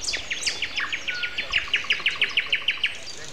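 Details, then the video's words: Common nightingale singing on a Sunday morning, April 29, at 7:55, in a year when singing began in mid-April: a fast, even series of about sixteen loud, clipped notes, with faint chirps from other birds behind. "Morning concert. Nightingale and Со."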